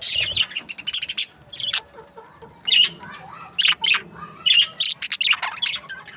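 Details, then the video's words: Budgerigars in breeding pairs give rapid clicky, scratchy chirps. An opening flurry is followed by a quiet stretch, then scattered squawky notes build back into loud chatter. "Budgies parrot chirping sounds | breeding pairs"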